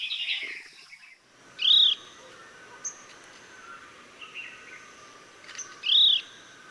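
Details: Chestnut-bellied nuthatch in Sattal, Uttarakhand, India, giving two clear, high, arched whistled calls about four seconds apart, with a brief burst of other bird chatter at the start and faint lower notes between.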